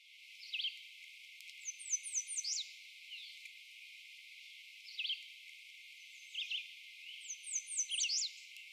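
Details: American Redstart at Doodletown, where it nests, singing an unusual song with very short elements in the first section and a buzzy phrase: high, thin, quick downslurred notes in short bursts, repeated several times with quiet gaps between them.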